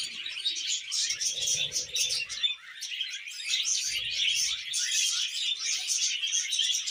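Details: Budgerigar chatter recorded during mating and breeding: a steady wash of high, rapid chirps and warbled twitters with no pauses, and faint low rustling near the start.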